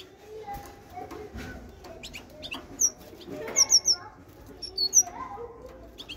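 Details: Great tit singing in short high bursts. Scattered thin whistled notes build to a quick cluster of three, then a couple of faint high pips, against a soft, rustling background.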